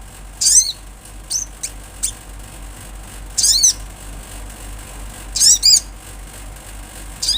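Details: Olive-backed sunbird singing in the wild: scattered, very high, steeply falling squeaky phrases every second or two, separated by soft background hiss.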